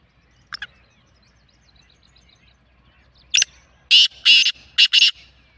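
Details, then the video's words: Black francolin (kala teetar) call: after a faint note and near silence, a sharp rasp leads into a rapid series of four harsh, grating bursts. "Black Francolin kala Teetar ki Awaaz"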